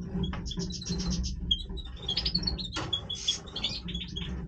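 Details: Major goldfinch breeding song with quick repeated tinkling notes in short series, a sharp downward swoop, then clustered high chirps and twitters, over a low background hum.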